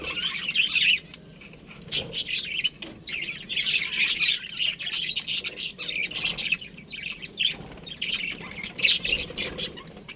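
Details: Many budgerigars in a colony chatter continuously, with high squeaky chirps, scratchy squawks and warbled bursts overlapping, plus occasional wing flutters among the birds.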